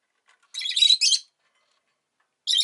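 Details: Domestic rosy-faced lovebird making one long, grating high chirp lasting under a second, followed after a pause by the start of another.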